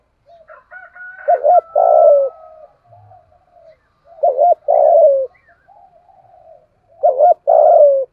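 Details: Decoy spotted dove of the thổ voice style, used to train lure birds: three spaced phrases, each a fast doubled coo followed by a long, falling hollow note, with soft quieter murmurs between.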